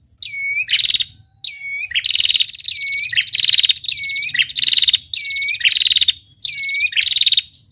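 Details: An active female prinia, described as red-headed, gives its trill call as a tutoring recording: a steady series of swooping whistled notes, each joined to a rapid buzzy trill, about one phrase per second, over a faint low hum.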